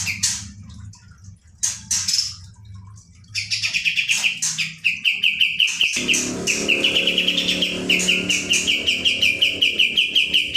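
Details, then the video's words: ['Kapas tembak opening with scattered high whistles and sharp notes, then launching into a long, fast roll of bright repeated chirps at steady pitch lasting over six seconds.'] "kapas tembak gacor roll ngebrn nembak"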